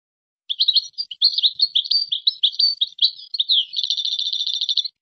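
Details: Moroccan European goldfinch performing qazarat and srrr bartbartio song: about three seconds of unbroken, lively twittering with sweet slurred and scratchy notes, closing in a rapid, evenly pulsed rattling trill. The background is quiet.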